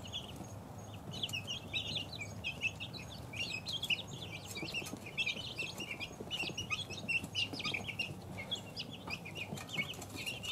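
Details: Young chickens, two weeks old, peep in scattered then steady bursts of high, short chirps, with soft clicks and a low droning background.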